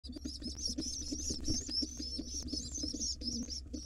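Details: Wild, hungry pigeon nestlings being fed by their father: a dense run of thin, high squeaky peeps, each wavering and slightly rising, repeated several times a second over a low steady hum and soft thuds.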